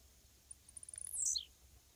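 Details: Single song phrase of a wild blue-black grassquit beside a roadside fence: a rapid series of tiny high ticks rising into a brief, shrill, buzzy note that slides downward.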